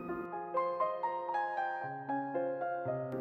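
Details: Only piano music is heard, a slow melody of sustained notes with no animal sounds.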